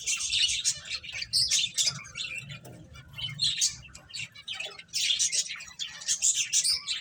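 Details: Waves of high, busy twittering from finches playing, loud at the start, softer through the middle, then swelling again into dense chirping.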